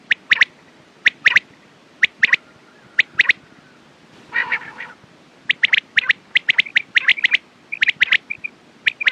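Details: Quail calls, recommended for morning and night use: crisp, high clicking notes in doublets and triplets, spaced by short pauses, with one louder rough, buzzy burst midway and quicker runs of notes near the end.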